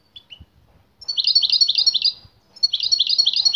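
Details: European goldfinch singing fiercely on hearing a female nearby: short bursts of rapid, bright twittering notes, a brief chirp first, then a dense trilled phrase repeated after a pause.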